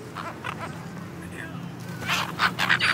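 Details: Silver gulls chasing food give harsh, squawking calls in quick bursts that grow louder near the end, over a steady low hum and possible voices.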